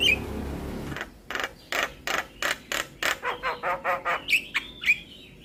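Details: Javan myna full-repertoire song played to get silent mynas singing: brief whistles, then a steady series of about a dozen harsh, grating rasps, with thin whistled slurs near the end.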